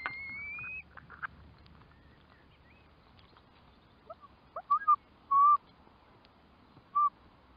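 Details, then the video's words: Curlew: one long, clear whistle that rises slightly and lasts almost a second, then a quiet gap, then a series of short, lower whistled notes and clicks between the fourth and seventh seconds over a soft rural background. "Кроншнепы (лат. Numenius) - Curlew"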